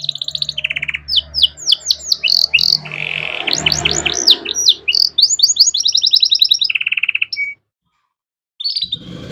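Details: Canary master song used to train young songbirds, a rich varied warble of rapid trills, downward-swept whistles and buzzy notes, with a low hum and faint background noise beneath; song breaks off near the end.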